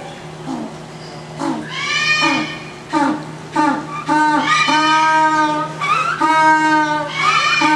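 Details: An African penguin at Matsue Vogel Park brays in loud, donkey-like bursts, each harsh note rich and nasal, with brief gasping pauses; it seems to be one bird demonstrating its call to the others.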